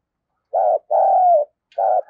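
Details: Decoy spotted dove cooing to lure wild doves: three low, hooting coos, a short note, then a long drawn-out coo, then another short note, with clean, quiet surroundings.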